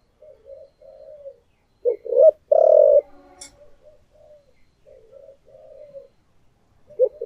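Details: Decoy spotted dove in the thổ voice style: quiet murmured coos, a pair of sharp loud notes and a long rough coo, then more soft cooing and a final stressed note.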